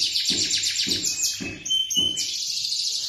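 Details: Lemon male canary pouring out a dense, fast high trill, then a steady whistled note, with soft low thumps repeating about every half second underneath.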